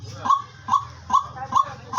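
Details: A captive white-bellied waterhen used as a decoy calls on 10 March, late in winter, out of season, giving short, clipped, slightly rising notes, about five in two seconds at a steady pace, over a faint low hum.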